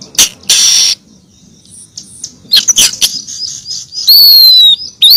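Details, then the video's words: Female oriental magpie-robin calling to the male, a lure recording: scattered harsh, buzzy high bursts and sharp chirps, followed by a long, loud, thin whistle sliding gently downward and a final short high note. "Pancingan siulan kacer betina memanggil jantan"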